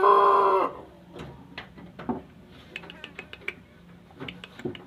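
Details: Young Pelung rooster practising the long crow: a loud, harmonic, steady crow note ending within the first second, then quiet clicks, taps and faint knocking.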